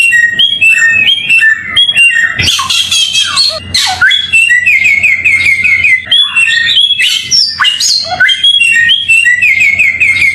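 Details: Continuous song of a samyong bird, recorded cleanly as songbird tutoring material: quick whistled phrases, scratchy chatter bursts around the third and fourth seconds, then a run of repeated rising chirps near the end over a faint steady hum.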